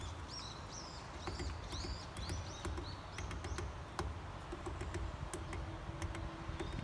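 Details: Varied tit in spring, pecking hard at sunflower seeds while eating: a series of short, thin, rising whistled notes with bent tips, mixed with sharp tapping clicks and a steady low background rumble.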